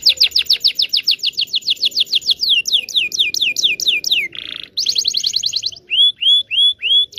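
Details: Canary long song to train young canaries: rapid descending whistles slowing into spaced sweeps, a short low buzz, a bright trill and then several rising hooked whistles.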